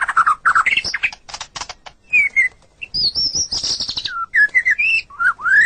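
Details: White-rumped shama master song for tutoring caged songbirds: mixed chattering and whistles, a high wavering phrase, then short rich slurred notes.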